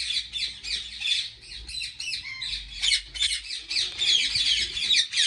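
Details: Ringneck parrots at a large breeding farm in Pakistan, a constant chorus of grating, screechy squawks from many birds, over low background rumble.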